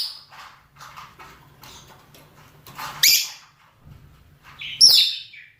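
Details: Rosy-faced or Fischer's lovebirds, males and females, calling for mating with soft chattering twitters, then two loud piercing screeches close together near the end.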